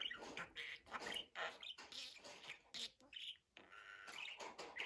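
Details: Budgerigar chattering in a dense, scratchy warble, with rapid squeaks, buzzy notes and short whistled chirps running almost without pause, briefly breaking off near the middle before resuming.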